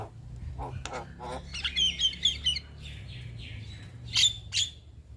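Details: Young Javan myna (jalak kebo) delivering a few harsh notes, then a series of thin high whistles and two loud sharp squawks near the end, over a steady low hum.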